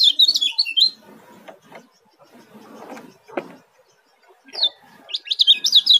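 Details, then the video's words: Young Oriental white-eye (kecial kuning), a Lombok bird, singing at speed: rapid, high, twittering bursts at the start and end, with soft clicks and rustles in a quieter middle. "Kecial yunior speed"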